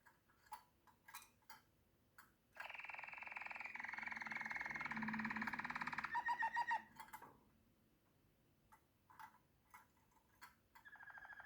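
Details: Waterslager canary song: scattered clicks and chips, then a long, even rolling trill of several seconds that ends in a few louder pulsing notes, followed by more sparse chips.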